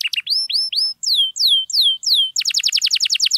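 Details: Singing canary, played to stir silent canaries into song, with a few rising chips, slow clear downslurred whistles, then a fast rattling trill of short high notes.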